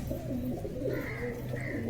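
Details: Several domestic pigeons, released from their cages and just given food and water, call together in a low, soft, overlapping murmur of rolling coos.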